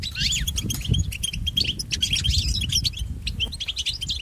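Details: A European goldfinch sings in a rapid, chattering stream of high chips and a few sweeping slurred notes, used to train pet goldfinches; a deep rumble runs underneath throughout.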